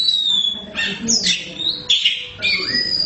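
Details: A kept black Oriental magpie-robin, fed crickets daily, sings loud, high, sustained whistles broken by harsh, scratchy bursts, changing phrase every second or so over a faint background hum.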